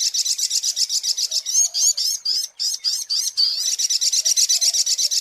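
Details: Brown-throated sunbird lure song: a rapid, high, buzzy trill of sharp chip notes, about four per second, with a brief stutter of slurred notes midway before the even trill resumes.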